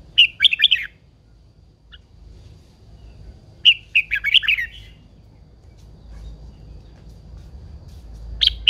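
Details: Red-whiskered bulbul song as an old wild-caught female drives a male to sing: two long runs of fast, bright, warbling whistles, a brief one starting at the very end, with low background rumble.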